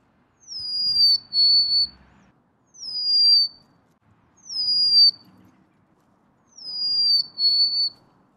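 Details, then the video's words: Golden-crowned sparrow repeating its high, thin, slowly falling whistled phrase four times, roughly every two seconds, each phrase sometimes broken into two parts, with faint low rustling beneath. "Natural Birds Voice, Bird Natural Sound.Golden crowned Sparrow."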